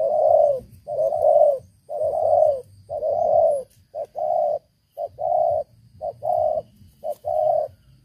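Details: Old decoy spotted dove with a big voice, cooing in a steady run of low, rounded notes roughly one per second, some short and clipped, others fuller and drawn out.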